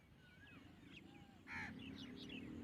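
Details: A black francolin calling sound, meant to prompt francolins to answer, with a loud, harsh, grating burst midway among thin whistled notes from other small birds and a steady low hum.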